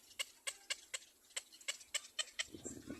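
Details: Black-crowned chick following its mother and screaming: clear, piercing clicked notes roughly every quarter second, with a low rustling noise entering near the end.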